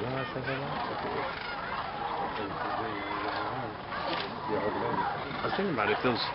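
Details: Sandhill cranes massed by the thousands at dusk at Jasper-Pulaski Indiana State Fish and Game Preserve, waiting to roost in the swamp while people watch: continuous, thick chorus of rattling, bugling calls from many birds at once.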